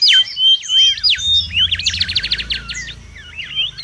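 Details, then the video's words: Mangrove whistler in the wild singing loudly for luring and tutoring: clear opening whistles, then a rapid rhythmic run of repeated looped notes fading into softer twisting phrases. "SUARA PIKAT DAN MASTERAN BURUNG KANCILAN BAKAU RIBUT DI ALAM LIAR"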